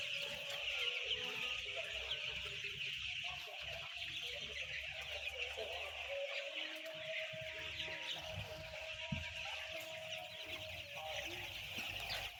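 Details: Flock of roughly ten thousand white chicks producing a dense, high-pitched peeping chorus that stays steady throughout, with a faint low hum and occasional soft knocks.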